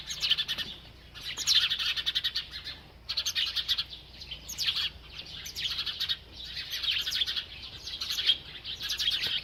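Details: A single bird chirping while eating: bursts of high, rapid, buzzy-edged chirps repeating about every one to two seconds, separated by brief quiet gaps, with no other clear sounds.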